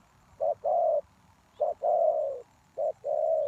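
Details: Spotted dove used as a ground decoy to lure wild doves: three low coo phrases, each a short note followed by a longer drawn-out, slightly falling coo, about every second and a half.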